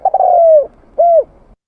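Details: {'text': 'Spotted dove, called tekukur, on a lure recording: a stuttering start runs into a long, gently descending coo, then a short pause and one rounded, arched coo. The tones are soft and hollow.'}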